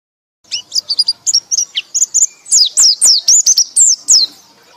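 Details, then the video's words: White-eye (pleci) singing loudly in the ngekek style: a rapid run of thin, high, sharply slurred whistled notes, starting sparse and then tightening into a dense, continuous chattering stream. "pleci anda akan ngekek ngekek keras"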